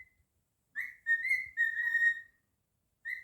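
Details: Whistling song of a naughty male pet cockatiel: a rising opening note, then a run of pure sustained whistles sliding gently lower, lasting over a second, with a new phrase starting just before the end.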